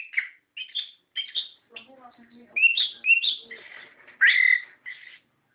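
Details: Orange-headed thrush lure song meant to make a captive bird reply, in the gacor ngerol style: separated whistled phrases with soft, low murmuring notes in the middle, ending in a loud, sweeping whistle.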